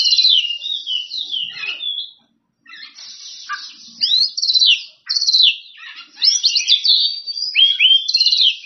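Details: Oriental magpie-robin in loud ngeplong song to challenge rivals: dense, scratchy warbles and sharp whistled notes in phrases separated by short silences, ending in rapid, high chattering.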